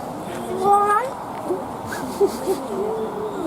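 A common raven mimics human speech with short hoarse, voice-like phrases of wavering pitch, some quiet clucks following.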